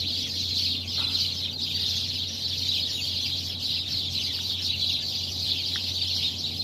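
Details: Numerous birds gathered in a tree in the dim early morning, calling together in a thick, ceaseless high-pitched twitter; a low hum runs continuously underneath.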